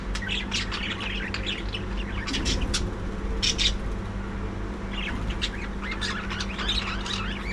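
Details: Captive breeding colony of budgerigars giving a steady stream of chirps, warbled twitters and sharp squeaks, with a louder cluster of calls midway, over a persistent low hum and rumble.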